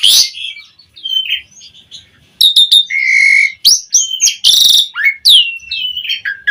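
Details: Asian pied starling in full, rich song used as a lure to get other starlings singing: a varied, loud mix of whistled slurs, harsh buzzy bursts and chattering notes, with steady whistles and rising and falling phrases, no other sounds.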